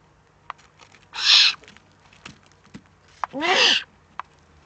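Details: Recorded in the Eifel on 3 May 2014, a Eurasian eagle-owl produces two loud, rough hisses, the second carrying a squeaky rising tone, separated by faint clicks.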